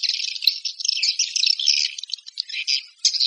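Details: High, rasping swiftlet chirps run together in quick, rattling phrases, broken by short gaps near the end.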